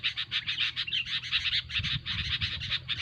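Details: Sooty-headed bulbuls in a noisy, busy bout of singing, used as a lure recording for trapping: dense chattering chirps and bubbly notes overlap in quick succession, with a faint low hum beneath.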